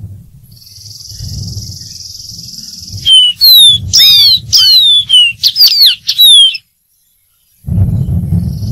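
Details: Dark-throated seedeater (Sporophila ruficollis) delivering its song: a rapid sequence of bright, high, downward-slurring whistles and complex warbled notes lasting about three seconds, preceded by faint high hiss and low rumble.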